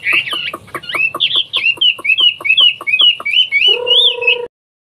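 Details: Hwamei, a bird originating from China, singing a quick run of clear, varied whistled notes, many rising then falling, about three per second, ending with a lower, steady harmonic tone before silence.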